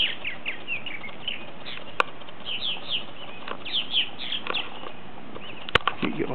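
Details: Purple martins coming in for the night in 2010, a flock giving scattered short chirps and downslurred twitters in a high band, with sharp clicks and low background rumble.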